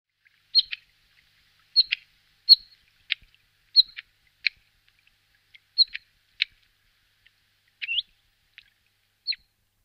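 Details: Bluethroat: short, sharp chirps and clicks at high pitch, given singly or in pairs about every second, with brief pauses between them and no other sounds.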